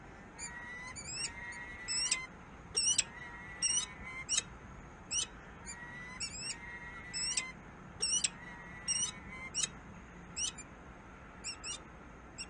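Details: Peregrine falcon, Harrisburg, USA, producing high, piercing call notes in irregular clusters, some with drawn-out lower wavering tones between them, repeated across the recording over a light background hiss.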